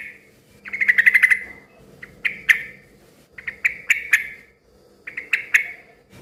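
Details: Noisy yellow-vented bulbul song used to make other bulbuls call back, heard as four short bursts of quick, bubbly chirps separated by brief pauses, over a faint low hum.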